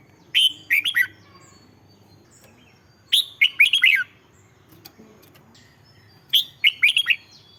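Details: Caged-bird red-whiskered bulbul song used to stimulate other birds: three separate bursts of quick, liquid whistled notes with arching pitch, about every three seconds, over faint background rumble.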